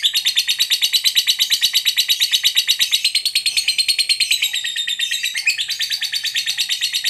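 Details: Caged lovebird giving a long ngekek trill, rapid harsh chattering notes repeated about three per second in an unbroken rattling stream, high and buzzy, pitch stepping lower partway through; meant to provoke a lazy lovebird into singing.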